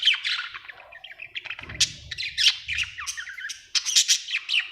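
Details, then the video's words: Cheerful budgerigar chatter, a dense stream of scratchy chirps, squeaks and grating squawks with hardly a break, a low rumble heard briefly in the middle. "Happy budgie chirping sound"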